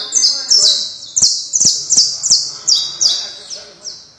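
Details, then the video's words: Criollo canary song: a fast chain of high, sliding whistled notes falling in pitch, repeated nearly three times a second, with a few soft clicks or taps in the background. "Canario Criollo"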